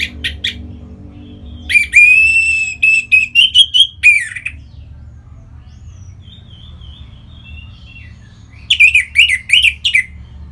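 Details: Orange-headed thrush in song, used to provoke singing in other birds: a sustained warbling phrase with rising, wavering notes, soft whistled pieces during a lull, then a quick undulating phrase.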